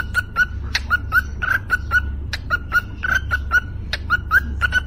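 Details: Pet parrot singing a song, given as "Happy new year": a quick run of short whistled notes on one steady pitch, each with a sharp click, repeated irregularly about once per second over a constant low electrical hum.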